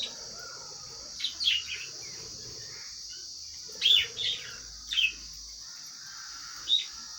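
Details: Lovebirds making sounds while eating: scattered thin, high chirps and squeaks, several clustered near the middle, set against a steady high hiss.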